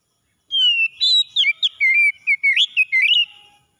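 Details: Morning song of an oriental magpie-robin, used for stressed birds that have stopped singing: a run of about nine clear whistled notes, some slurred and some steady, delivered over roughly three seconds with short gaps.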